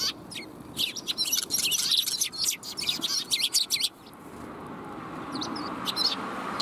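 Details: Sparrows coming for food on 20 March 2021 burst into dense, overlapping chirping for about three seconds, then fall to a few scattered notes over a rising background rush.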